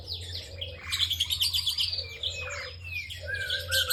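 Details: Bar-winged prinia singing vigorously: high, buzzy chirps and rising whistled slurs, with lower, softer repeated notes from another bird and a steady low hum.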